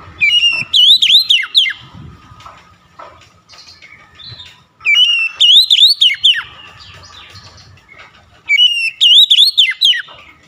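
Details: Three loud whistled phrases from an oriental magpie-robin, each a level note leading into several swooping up-and-down slurs, spaced about four seconds apart with quiet twittering and soft hum between.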